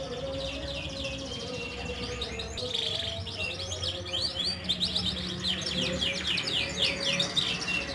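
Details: Group of canaries singing, used to prompt quiet canaries: rapid repeated chirps and trills about four per second, growing denser and louder toward the end, with low steady tones in the background.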